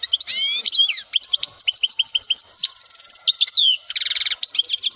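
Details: A male European goldfinch sings strongly: a fast, high, tinkling twitter of liquid notes, mixed with buzzy trills and rapid chattering runs. No other sounds are heard.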